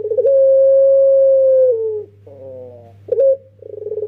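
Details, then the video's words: Young puter pelung, a dove kept as a trapping lure, gives one long even coo that slides downward near its end, then quiet rolling notes and a sharp short coo leading into a rapid pulsing phrase, steady hum beneath. "Puter PELUNG MUDA tapi suara JUARA, buat pancingan pasti TOKCER"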